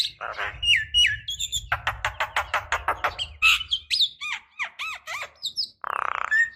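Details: Javan myna call used as a decoy, with a female calling a male: harsh squawks, then a fast rattling series of buzzy notes, then looping whistled notes rising and falling, ending with a short burred phrase.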